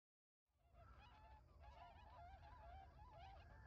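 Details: {'text': 'Tundra swans newly arrived in early November in rice fields around a lagoon in Hakui, Japan, calling vigorously while flying about: soft, wavering bugling notes from several birds overlapping, with low rumbling wind or background noise.'}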